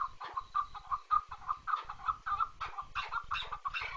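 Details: Chukar partridge producing short, clipped clucking notes in quick succession, softer and more broken toward the end of the series.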